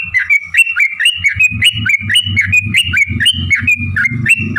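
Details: Yellow-vented bulbul in long fighting song used as a lure to set other birds singing; rapid run of bubbling two-pitched notes about four per second, with low thumping knocks beneath.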